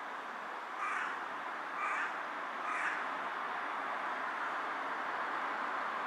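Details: Carrion crow calling from a power line with bowing movements, 18 July 2023: three rough caws about a second apart, partly masked by strong broadband background noise.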